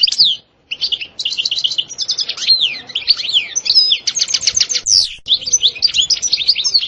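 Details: Goldfinch song with stasta and btbta passages: a near-continuous, rich twittering of quick chirps, buzzy rolls and short whistles, with a brief pause near the start.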